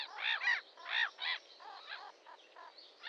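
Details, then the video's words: Red-crested pochard, a diving duck that feeds on water plants, giving a series of harsh, nasal, harmonic squawks in uneven bursts, louder at first and then softer, with no other sounds. "Zrzohlávka rudozobá, Red-crested Pochard"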